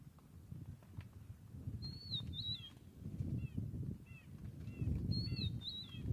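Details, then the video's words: Rufous-naped lark giving repeated downslurred whistled phrases, dated 30 January 2023, with short soft chirps from other birds between them and a persistent low wind-like rumble beneath. "Okay, well, I figured it out. It is the rufous-naped lark that is calling."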